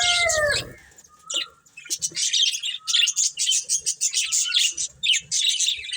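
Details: Pet budgerigar breeding pair: a clear descending whistle opens, then short bursts of buzzy chirping chatter follow, separated by brief pauses, with soft clicks in the background.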